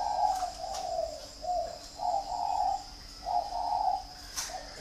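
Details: Kept dove from a bird garden in Ba Vì, Hanoi, Vietnam, giving soft low cooing phrases, each a rolling hum about a second long, repeated four times with short pauses; faint high clicks and a steady hiss behind.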